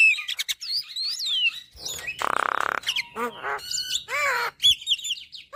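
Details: Javan myna singing vigorously for training caged birds: fast chirps and arching whistles, then a long harsh rattling buzz, followed by nasal squawks and high squeaky notes.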